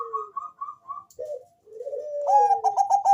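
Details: .Bangkok-type zebra dove with a thick, deep bass voice, singing a lure song to get other doves calling. A short whistled series fades into a low slurred coo, then a ringing burst of rapid staccato notes.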